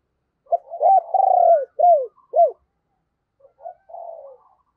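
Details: Spotted dove decoy giving thúc and coo calls to lure wild birds: a long mellow coo, then three strongly arched notes in quick succession, a pause, and two faint softer notes.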